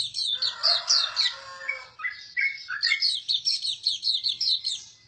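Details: Hume's white-eye gives a short, busy warble of high squeaky chirps, ending in a quick series of evenly spaced sharp notes, with faint low background rumble.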